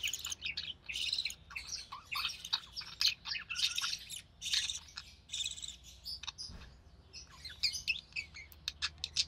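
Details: Captive budgerigar family during feeding of a recessive pied chick hatched in June 2020: soft, scratchy chatter of quick chirps and short rasps, rising to denser bursts near the end over a low hum.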